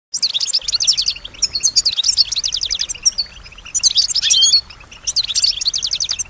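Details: Kept female European goldfinch singing, said to imitate surrounding sounds: four bursts of rapid, liquid twittering with fast repeated high notes and short trills, separated by brief pauses.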